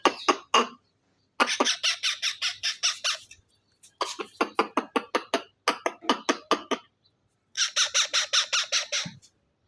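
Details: Baby parrot, described as dancing and making sweet sounds, gives bursts of rapid harsh chattering notes in quick series, several seconds each, separated by short pauses, indoors.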